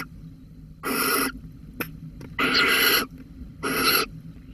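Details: Barn owl at Holten, Netherlands, 13 May 2020, calling over a mouse: three harsh, broadband hissing screeches, each about half a second long, separated by short quiet gaps, with a single sharp click in between.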